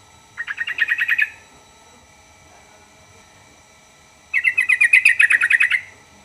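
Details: Yellow-vented bulbul, used to prompt other birds of its kind to answer at once. It gives two rapid, rolling chatters of bubbly repeated notes, the second longer, separated by a few seconds of quiet.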